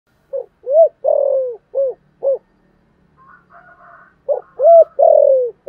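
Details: Spotted dove in the local "thổ" voice with a two-ending call, stirring wild doves. Two phrases of deep, hollow coos with a long, falling middle note. Faint, thin chirps sound between them.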